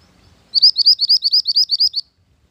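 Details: Mantenan gunung bird, recorded as a lure and master song for training, delivering a rapid run of about ten sharp, high rising whistled notes in steady rhythm lasting one and a half seconds.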